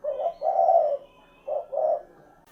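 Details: Two quick cooing phrases from a spotted dove (derkuku), each a short low hoot running straight into a fuller, longer coo, separated by about half a second of quiet.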